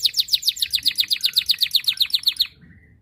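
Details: Canary in full 'gacor' song meant to draw rivals into singing: a fast, even trill of sharp high chirps, about six per second for two and a half seconds, then a soft fading note.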